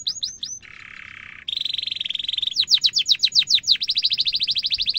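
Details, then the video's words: Canary in full song, ngerol rolling style played as a lure for young canaries: a few high sweeps, a low harsh buzz, a steady buzzy trill, then long runs of rapid sharp chirps. "kenari gacor panjang cuit cuit emosi, pancingan kenari paud belajar bunyi"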